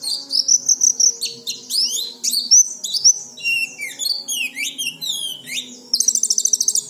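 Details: Lively oriental white-eye song of downward-sweeping high whistles and chirps, ending in a fast, buzzy rattling trill; played daily to get untrained birds singing.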